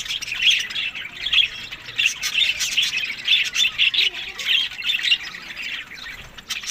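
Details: Budgerigars at summer feeding time in Larkana, Sindh: steady, rhythmic warbled chirps and squawky notes in short repeated bursts from several birds.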